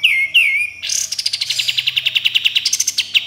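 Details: Sooty-headed bulbul song with harsh 'besetan' and 'tembakan' bursts. Two bright whistled notes dip and level out, then a long grating rattle of rapid, evenly spaced pulses runs for over two seconds.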